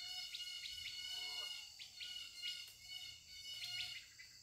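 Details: Birds give short, sharp chirps at uneven intervals over a constant high, ringing drone of insects in an outdoor natural setting.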